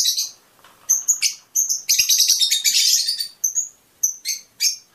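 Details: Singing Fischer's lovebird, its song described as stimulating mating: shrill, high squeaky chirps come in quick succession around a loud, dense chattering stretch of about a second and a half, then several more sharp notes.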